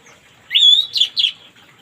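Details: Morning song of an orange-headed thrush, meant to coax a stalled bird into singing: one drawn-out bright whistle followed by two shorter rich notes, all slurred together in about a second.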